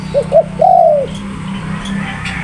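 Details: Spotted dove cooing: two short, clipped low notes followed by one longer, drawn-out coo that slides slightly downward at its end, over a steady low hum.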